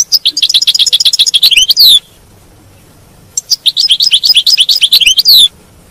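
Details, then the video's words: European goldfinch batbata twitter played to keep a caged goldfinch singing: two dense phrases of fast liquid trills and buzzy chirps, each about two seconds long and ending in a descending slur, separated by a pause. "تغريد الحسون، بتبته الحسون، لجعل حاسونك لا يتوقف عن التغريد"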